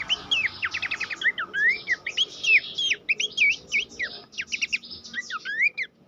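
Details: Horsfield's babbler song, played as a master recording to train competition songbirds; a dense, fast run of varied whistled sweeps, rising and falling slurs and quick clicky notes with almost no pauses.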